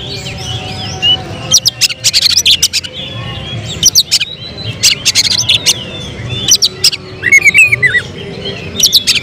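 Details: Oriental magpie-robin (kacer), a prospective contest bird, singing rapid bursts of sharp clicking notes mixed with brief thin whistles over a constant low rumbling background.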